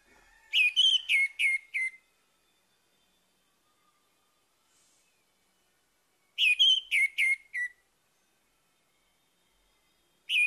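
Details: Orange-headed thrush morning song used as a lure: short, clear whistled phrases of four or five rich, slightly buzzy notes, repeating after a pause of about four seconds against a quiet background.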